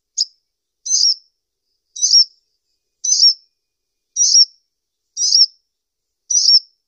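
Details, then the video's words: Sunbird, called kolibri ninja locally, repeats a short, bright, high chip about once a second, seven times in steady rhythm, with silence between. "SUARA BURUNG KOLIBRI NINJA"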